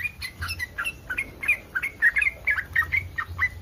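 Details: Mating call of a yellow-vented bulbul in breeding condition, used to draw replies from other bulbuls: lively, slurred chirping phrases, rising and falling, repeated several times a second over a soft low rumble.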